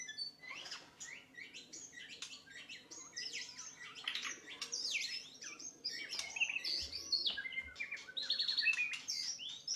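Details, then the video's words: Murai batu, the white-rumped shama, singing a masteran meant to train other birds. Dense, rapid chattering song of varied high whistles, slurs and churring notes, continuous and loud, with a faint low background hum. "masteran full burung murai batu"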